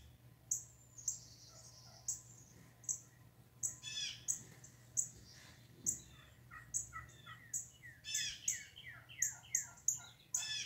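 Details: Wild turkeys in a yard on 22 March 2019, during the mating season, giving bursts of rapid, rattling, descending gobbles from about four seconds on, between sharp high chirps from other birds.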